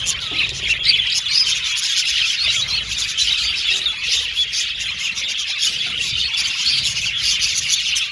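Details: Several budgerigars, described as Australian budgies and happy, keep up a dense, continuous stream of high chattering, tweeting and short whistled notes that overlap without pause for the whole stretch.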